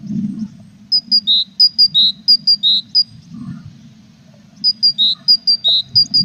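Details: Tits nesting in a box with chicks, 21 April; two phrases of pure whistles, high short notes paired with slightly lower longer ones, separated by a quiet gap with soft low rumbling.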